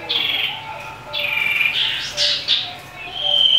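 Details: Common iora giving an aggressive song meant to stir up rivals: rough, buzzy high notes rising and falling, ending in a clear steady whistle.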